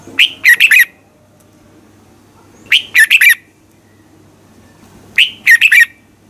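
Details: Morning training song of a red-whiskered bulbul, a decoy singer meant to provoke rival bulbuls: three short, loud, warbled phrases of rapid clear notes, each roughly two and a half seconds apart, with faint background hum.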